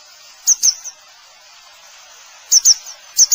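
Grey wagtail giving sharp, very high 'tzit' calls in quick runs of two or three, each run about two seconds apart, over a steady rushing hiss.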